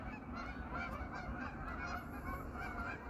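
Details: Evening on an autumn pond crowded with hundreds of wintering geese; a brief stretch of continuous, layered honking from the noisy flock, with no gaps between calls.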